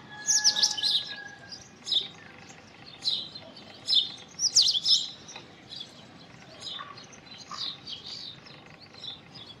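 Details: Indian robin singing varied high, sweet warbled phrases with sharp slurred notes every second or two, later softer; a faint steady whistle from another bird early on.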